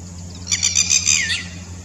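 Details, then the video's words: Red-wattled lapwing gives its shrill "did-you-do-it" call in clear response to another bird on the other side: a quick run of sharp, high notes ending in a falling slur, over a low steady hum. "Red-wattled Lapwing's typical call 'Did you do it?'"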